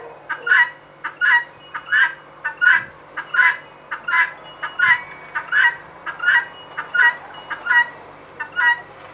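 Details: A female guineafowl gives a loud, steady run of paired notes, a quick clipped sound and then a longer grating one, about a dozen pairs in a regular rhythm over a low background hum.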